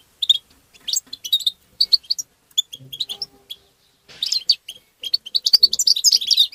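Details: European goldfinch giving tabtaba calls, used to stimulate goldfinches. Quick bursts of high, tinkling twitters come in clusters, with a short lull before a denser, faster run of sharp notes at the end.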